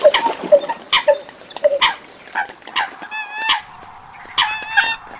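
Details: Eurasian coot from a foreign recording. A run of short nasal yelps comes first, then a longer buzzy, harmonic call and a few scattered sharp notes.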